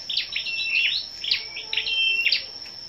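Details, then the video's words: Short burst of competitive morning song from gathered scarlet-backed flowerpeckers, 10/05: quick high ticks and brief whistled slurs repeated several times in under three seconds over a thin steady whine. "Những Chú Chim Sâu Đầu Đỏ Siêng Hót Đấu"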